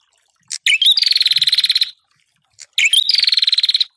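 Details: Ashy tailorbird song aimed at rival birds: two phrases, each a brief chip and rising twitter leading into a rapid, buzzy, evenly pulsed trill of about one second, separated by a short silence.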